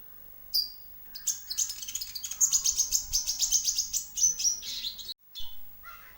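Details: Kolibri ninja (sunbird) song used to provoke other birds into singing: a fast, high, thin twittering trill of rapid repeated notes, about four per second, rising and sustained for several seconds, then a short break and a few faint notes.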